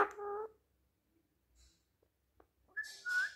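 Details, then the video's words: Indian ringneck parrot talking in Hindi indoors: a short voiced, word-like phrase, a few soft clicks and a pause, then a high, strained, rising-and-falling utterance with raspy upper tones. "Indian ringneck parrot talking clear in hindi."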